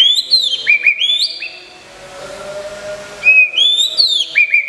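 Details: Caged white-rumped shama under moult care, an Indonesian contest champion, delivering bursts of high, sharply sweeping whistles and upslurred notes, pausing briefly mid-clip before resuming the bright, rapid phrasing.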